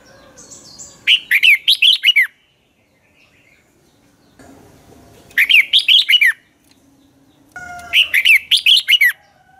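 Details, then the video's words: Morning dueling song of a red-whiskered bulbul used as a lure bird: three evenly spaced bursts of rapid, rich, warbling whistled notes, each burst about a second long, with faint tonal sounds between. "luyện chào mào hót sáng hót hay dùng thúc bổi, ép giọng rất hay, chào mào căng lửa, chào mào hót đấu"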